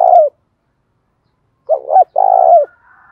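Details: Decoy spotted dove cooing to provoke wild doves into calling back: a short low coo, a pause, then a doubled husky note and a longer drawn-out throaty coo, in clean quiet surroundings.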